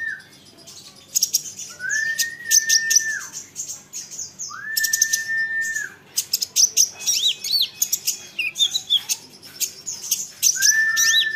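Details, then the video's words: Olive-backed sunbird song, used to prompt other sunbirds to answer: rapid high, sharp chips and short trills in bursts, with a separate long, steady, lower whistled note repeated three times. "Isian Kolibri Ninja, Dengar ini konin lain pasti nyahut gacor doooorrrr"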